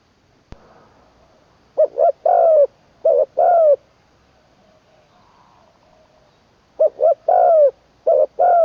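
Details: Spotted dove being trained as a decoy bird in Isan, Thailand, third session, ขันลงกุกวัย crowing with a full middle note: four low three-part coo phrases in two pairs, short hoots leading into longer descending coos, after a sharp click.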